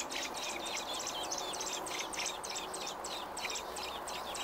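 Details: Dense, fast bursts of high, bright chirping, almost four notes a second, from a robin on day 28 of nesting, June 5, 2018, over a constant murmur of background noise.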